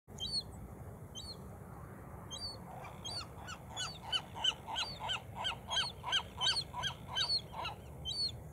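A Western Gull gives a rapid series of loud, harsh, laughing notes in the classic gull call.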